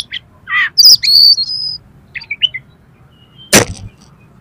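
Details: Oriental magpie-robin song used to stir competition birds: scattered buzzy bursts and a sustained high whistled phrase, a few short chirps, then a sharp loud click near the end, over low background hum.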